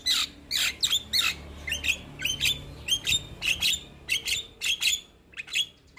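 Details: Javan myna, a young bird in full song kept as a master for training other mynas, gives a steady series of harsh, high chirps and squawky notes, about one every second.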